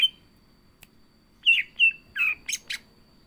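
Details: Greater green leafbird (cucak ijo) in 'gacor isian' form: three downslurred whistles followed by two harsh, scratchy bursts, over a faint steady high tone.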